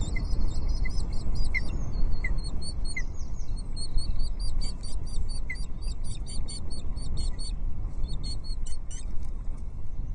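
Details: Ospreys at a Loch Arkaig nest in June 2023, the female and a chick calling as the male brings in a breakfast fish: rapid, sharp, high chirping notes repeated steadily throughout, a few short lower pips, over a constant low rumble.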